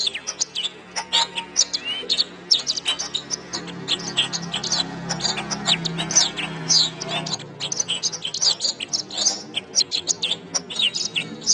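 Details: Canary singing a master recording used to train songbirds: continuous high twittering, trills and whistled slides, with a faint low droning hum running through the middle section.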